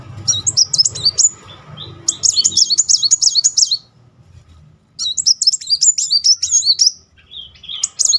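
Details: Sunbird (kolibri muncang) singing a rolling song meant to provoke a stalled bird; rapid high, jumbled warbling in long phrases separated by short pauses, faint low background noise.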